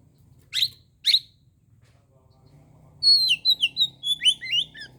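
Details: Oriental magpie-robin singing in the morning, used to provoke rival birds: two sharp, high downward-sweeping notes half a second apart, a pause, then a quick run of varied whistled and warbled phrases, with a faint low hum behind.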